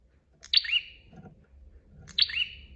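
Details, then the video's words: Clean master recording of a bar-winged prinia giving two crisp chirps about one and a half seconds apart, each a high whistle dropping into a lower note. "KICAUAN SUARA PRENJAK GACOR DOR"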